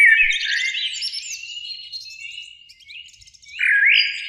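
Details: Eurasian blackbird song from a springtime beech tree near a lake at evening, two birds singing: rich fluting warble that breaks into high squeaky twitters, a quieter pause, then a loud rising whistled phrase.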